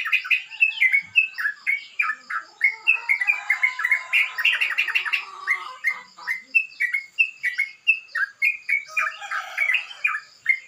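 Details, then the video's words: Sooty-headed bulbul in the morning, singing the rough, rapid style called ropel kasar. Quick chirpy, bubbly notes pour out in a steady stream with no pauses, and there is no other clear sound. "embun pagi burung crucukan ropel kasar"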